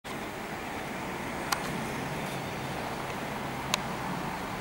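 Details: Steady road traffic rumble fills the recording, broken by two sharp clicks, with no animal voice heard.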